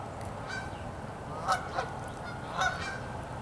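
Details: Canada geese gathered on a freezing pond with ice forming. A few fairly quiet honks are spaced irregularly, with a double honk in the middle, against soft background noise.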